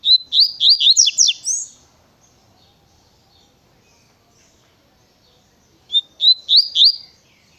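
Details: Tui tui song of a double-collared seedeater: a fast run of high, ringing, slurred whistles, then silence, then a second similar quick phrase of swooping notes.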